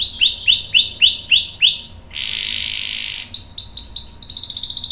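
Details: Canary singing a long rolling song used to prompt other canaries to sing: repeated descending swept whistles, then a sustained buzzy roll, then a faster series of high downward sweeps.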